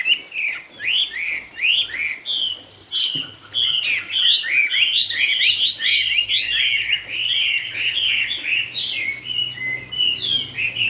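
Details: Loud Chinese hwamei song of fast, bright whistled phrases, each note sharply rising then falling, delivered in a nearly continuous rapid stream with a brief pause around the third second and a faint low hum beneath.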